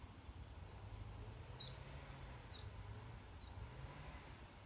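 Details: Honeyeaters singing in November 2020 give thin, high, quick chirps and short slurred whistles in scattered bursts, over a steady low rumble of background noise.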